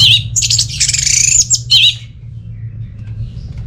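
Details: Orange-headed thrush singing in a loud, gacor style, played as a lure to prompt idle home birds into song: dense, harsh, high chattering bursts over about two seconds, then a low steady hum beneath quieter background.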